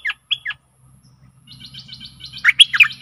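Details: Decoy Stripe-throated bulbul singing for aggressive wild birds: three short clear whistled notes, a pause, soft high chatter, then loud gurgling phrases, with a low background hum.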